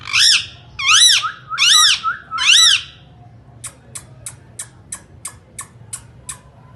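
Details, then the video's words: Indian ringneck parakeet, known as a talking parrot, gives four loud harsh arched squawks about every 0.8 seconds, then falls into a regular series of dry clicks roughly three per second. "Talking parrots real voice ringneck"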